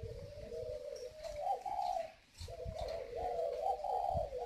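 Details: A large, very tame, hand-raised male spotted dove with a whistle-like còi voice, cooing: low, mellow, rolling coos that rise and fall, with a short break midway, over faint background rumble.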